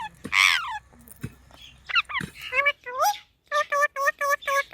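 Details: Green parrot kept as a pet, giving speech-like talking sounds: a burst of harsh noisy syllables, a rising whistled note, then a run of even harmonic calls repeated about four times a second near the end.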